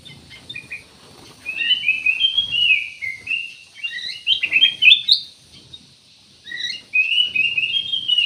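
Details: Ruby-throated bulbul singing a continuous, rambling phrase of high, quickly changing chirps and short warbles, pausing briefly before resuming the chatter.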